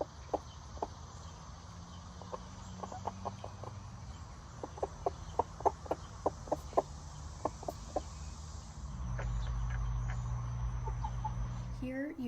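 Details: Nearby backyard chickens give an alarm call, quick sharp clucking notes several a second and unevenly spaced, which the owner guesses was set off by a hawk in a hawk-heavy area; a rushing, rustling noise near the end as two hens run off to shelter.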